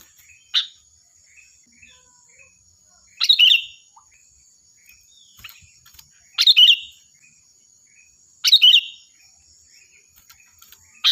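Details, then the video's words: Sooty-headed bulbul delivering loud, vigorous song used to train other birds: four short, bubbly phrases of rapid chirps spaced a few seconds apart, faint soft notes between, and a steady high whine behind. "Suara burung Kutilang Gacor || Nyaring dan keras cocok untuk masteran"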